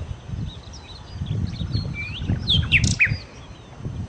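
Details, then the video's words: Nightingale (sikatan londo) singing lively: soft scattered chips, then a rising whistle and a quick cluster of sharp descending high notes, over a low background rumble. "kicau Sikata Londo( Nightingale Birds )"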